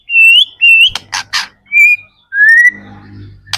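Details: White-rumped shama heard in a recording meant to coax other shamas into song, giving clear drawn-out whistles, some rising, between two harsh noisy bursts, over a faint low hum.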